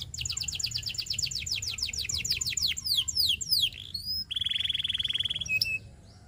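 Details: Canary song used for training, opening with a long run of rapid, evenly repeated high notes that sweep downward, then slurred descending whistles, a pure rising whistle, a fast buzzy trill, and a short sharp note.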